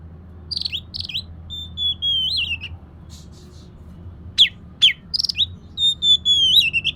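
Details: Oriental magpie-robin, a kacer, singing to lure a lazy bird into song: short bursts of sharp high notes and drawn-out wavering whistles, with quiet pauses between phrases.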